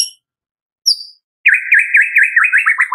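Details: White-rumped shama in the afternoon, a recording used as a lure to get other shamas singing: two thin high notes, then a fast run of about eight sharp, swooping whistles that speed up toward the end.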